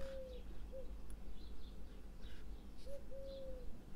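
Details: Common Cuckoo calling outdoors while someone talks indoors. Soft, flat, hooting notes come in a short-then-longer pair at the start and again near the end, heard faintly over a steady low hum.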